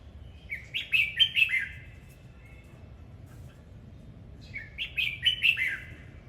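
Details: Singing-dancing red-whiskered bulbul (hót múa) gives two matching bursts of about five cheerful, fluty notes each, rising and falling, separated by roughly three seconds of near silence.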